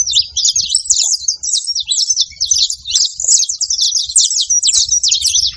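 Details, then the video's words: Saffron finch at a feeding spot, wild birds making noise: steady run of thin, very high chips and trills crowded together for the whole stretch, over light low background rumble. "canário da terra fazendo barulho na seva"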